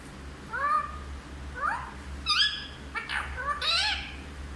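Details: Hindi-talking parrot utters a run of short harmonic syllables, rising and falling, some overlapping with brief noisy bursts, like fragments of speech, above a low hum.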